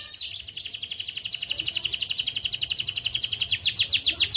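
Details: Canary song played to encourage silent canaries to sing: high swooping whistles open into a long, rapid, even trill of bright notes, about four per second, ending in quicker looping chirps.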